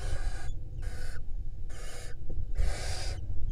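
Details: Barn owl nest in Israel during the 2022 breeding season, a female beside eggs and hatching nestlings: four rasping, noisy hisses of roughly half a second each, separated by short gaps, above constant low background rumble.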